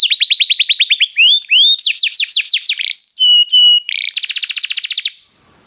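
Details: A restless canary runs through quick trilled phrases, with a rapid series of even notes, then slower sweeping slurs, steady whistled tones, and a final dense buzzy roll before falling silent.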